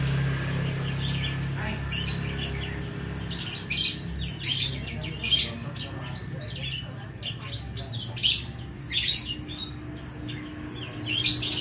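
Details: Oriental magpie-robin singing actively, a run of sharp, bright chirping notes and short rasping bursts spaced unevenly over about ten seconds, with a steady low hum underneath.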